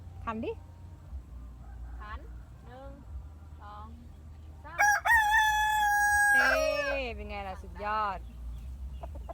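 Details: Rooster crowing in the evening, one loud drawn-out harmonic crow held steady for nearly two seconds then falling away, preceded by short clucks and a child's voice, with a low hum underneath.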